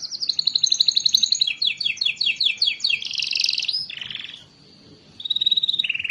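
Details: Singing canary used as a lure for lazy canaries: quick high trill, then a run of descending swept notes, a harsh buzzy burst, a falling note, brief pause and renewed trilling.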